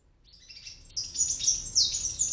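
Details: Palm tanager fledglings, hatched in an oregano plant on a ninth-floor apartment in Medellín, Colombia, around their first flights: thin, high chirps building into a rapid, louder twittering series, with faint low background hum.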